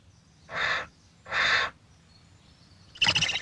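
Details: Barn owl at a nesting barn in the English countryside in June, where a pair feeds owlets about six weeks old, gives two harsh, hissing screeches, each under half a second and close together, then a brief louder rasping burst.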